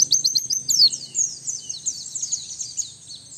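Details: White-eye lure and training song: fast, thin, high-pitched twitters and slurred whistles, loud at first and then fading to a softer, continuous twitter.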